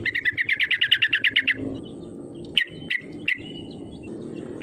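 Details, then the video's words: Sooty-headed bulbul lure call for provoking rivals: a fast run of about fourteen bright chattering notes lasting over a second, then three separate sharp notes with faint whistles between, over low hum. "SUARA PANGGILAN TRUCUKAN GACOR MENEKAN LAWAN AGAR IKUT BUNYI PANCINGAN TRUCUKAN AGAR BUNYI EMOSI"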